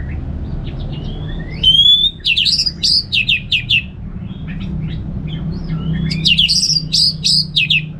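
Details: Relaxed ngeplong song of an orange-headed thrush, with two loud phrases of clear rising whistles followed by fast chopped, slurred high notes and a quiet pause between them. A steady low rumble runs throughout.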